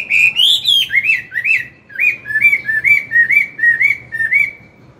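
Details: Chinese hwamei, an old wild-caught singer in forest voice, giving morning song meant to stir newly caught birds: opening rich rising whistles, then a steady series of about ten similar downslurred whistled phrases.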